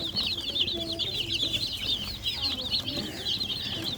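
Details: Young domestic chicks chirp continuously, bright high peeps tumbling over each other in a lively chorus over a faint low background hum.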